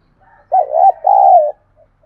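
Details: Spotted dove cooing to incite wild doves to fight and reply: faint soft notes lead into two deep, mellow phrases, the first broken, the second long and steady, followed by a quiet short note.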